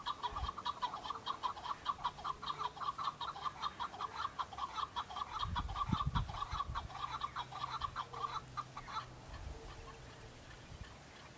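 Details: Wild male Chukar partridge in Kurdistan answering rival males during the fighting season, displaying to attract females; rapid series of clucking chuk notes repeated about 100 times a minute for nine seconds, then fading, with low rumbling background noise.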